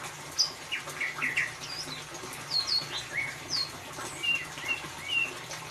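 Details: White-rumped shama, ngeriwik style, used to coax a mute bird to sing: crisp high chirps and short whistles repeated roughly every half second, some notes very high and sharp, over steady hiss.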